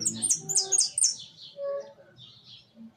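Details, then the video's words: Caged hooded siskin singing in a large cage: a quick run of high, bright twittered notes sliding downward, followed by softer chattering phrases and quieter background murmurs. "Jilguero amarillo priando en jaulon."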